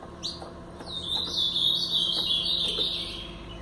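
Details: A pardo blue-black grosbeak singing a continuous run of bright, rapid warbled whistles in the Paraná style, opening with an upswept note, over a low steady hum.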